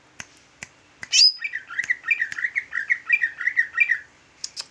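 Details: Large green leafbird in active bulbul-style song: a bright upward whistle, then a continuous bubbling warble of short looping notes for about three seconds, with sharp clicks before and after.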